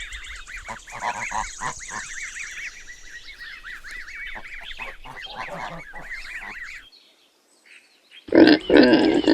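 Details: Goose giving a run of nasal, bouncing honks repeated rapidly for several seconds, then a short silence followed by a loud, harsh different noise at the end.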